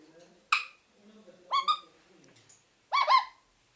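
A parakeet gives three loud, sharp whistled calls, rich and slightly harsh, about a second apart, over a faint low murmur in the background.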